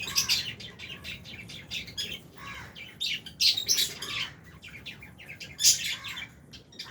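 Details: A flock of lovebirds, Albino and Fisher's types, feeding in an aviary with budgies: a near-continuous chatter of shrill tweets and scratchy chirps, several birds calling over one another.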